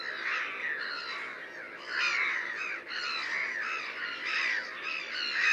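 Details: Black-headed gulls (Chroicocephalus ridibundus), several birds at once, giving harsh, grating squawks that overlap continuously in a noisy, chattering chorus.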